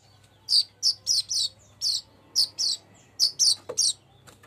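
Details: Golden-headed weaver, recorded as a lure to make other birds sing: clear, high, slightly buzzy chirps, singly and in quick pairs, roughly three a second, over a low steady hum.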